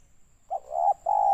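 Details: Spotted dove call played as a lure to trap doves, Pekanbaru, Riau, Indonesia: a soft, low, hollow coo in three linked notes, the last one drawn out longest; a faint steady high hiss runs behind.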